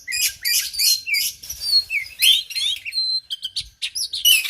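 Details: Oriental magpie-robin, kacer argal, Aceh: loud scratchy chirps alternating with pure sliding whistles and a few steady high tones, delivered in energetic, closely packed phrases.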